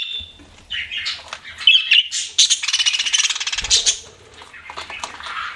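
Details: Pet budgies chirping in a busy warble: squeaky whistles, then a fast rattling buzzy stretch, then softer chatter that trails off to lower notes.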